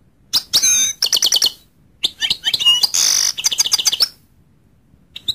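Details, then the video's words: Goldfinch twittering in rapid high chirps, with one harsh buzzy note in the middle of the run and a few scattered chirps at the close. "goldfinch sound"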